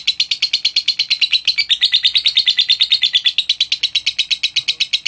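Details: Lovebird in song used to provoke rivals: a fast, rattling series of high, harsh chirps, roughly seven each second, pitch dipping slightly in the middle before continuing unbroken.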